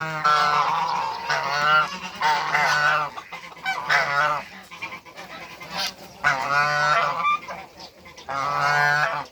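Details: A pair of African geese meeting other waterbirds on a farm in Greece give loud, drawn-out nasal honks in repeated bursts of about a second, with short pauses between them.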